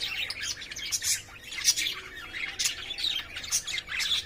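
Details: Caged lovebirds playing and courting: bright, piercing chirps and short squeaks come in rapid succession, some notes sharply whistled, over about four seconds.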